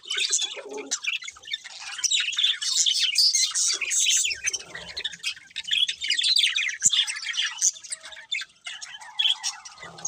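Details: Budgies chirping steadily, a rapid stream of high scratchy warbles and clicks, thinning toward the end into softer chatter and a few quieter notes.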